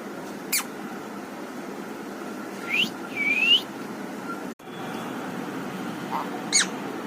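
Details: Green parrot, kept as a talking pet, giving a few sharp whistles: a quick downward note, then two rising sweeping whistles, and a later brief descending whistle over steady background hum.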